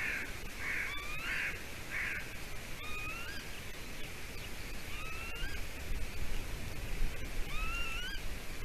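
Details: At a golden eagle nest in Latvia on 07-05-20 at 7:31 a.m., thin, rising whistled yelps repeat every two seconds or so, with a harsher buzzy burst near the start, over steady low wind rumble; not the female eagle but another bird following her.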